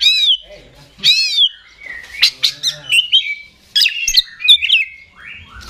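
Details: Caged Oriental magpie-robin kept by songbird hobbyists, with a long tail, singing in a very active continuous style: loud whistled phrases of arching, rising-and-falling notes, mixed with sharp high chips and short buzzy bursts, with brief pauses between.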